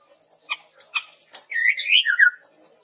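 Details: Red-rumped tepus singing, used to lure and tutor trained birds: a few short clicks, then a warbling, rising and falling whistled phrase ending in lower slurred notes.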